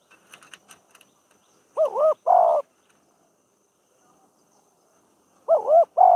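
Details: Spotted dove calling as a decoy during training for trap-cage catching in Thailand: light clicks and taps first, then two paired coo phrases, each a wavering, bouncing note followed by a drawn-out hoarse coo, with a pause between pairs.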